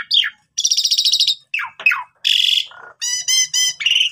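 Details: Asian pied starling song used as a lure to train young starlings. Bursts of harsh buzzy chatter alternate with sharp descending whistles and banded, harmonic nasal notes, with short silent gaps between.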